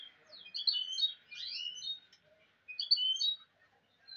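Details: Mule goldfinch twittering in two short bursts of sharp, sweeping high notes and liquid trills, separated by a brief silence.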